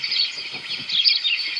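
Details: House sparrow played back during a bird-sound workshop: a dense, continuous stream of high, bright chirps and twitters.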